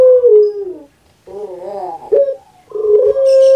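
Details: Captive puter pelung dove, Indonesia: a dropping opening note, a rolling, wavering gurgle, then a brief pause before a steady held coo rises in, clear and loud.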